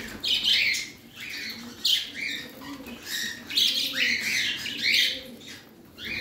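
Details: Parrot kept as a pet chattering in short, harsh chirp bursts, some rising and falling quickly, spaced about a second apart against a quiet low background hum.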